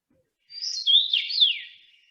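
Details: A male Common Rosefinch, a migrant wintering in India, sings in Finland in mid-June: one clear, slurred whistled phrase of about a second and a half, swooping up and down like 'pleased to meet you', against silence.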